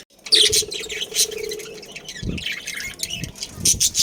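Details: Budgies in a captive breeding colony keep up high, scratchy chirping and warbling; a steady low hum runs beneath for about a second, and a few soft low thumps are heard.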